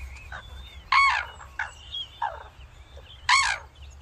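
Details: Red-crowned cranes at Catoctin Wildlife Preserve, Maryland, during a courtship dance, give loud, harsh, trumpeting calls in short bursts, two strong ones about two seconds apart with softer calls between.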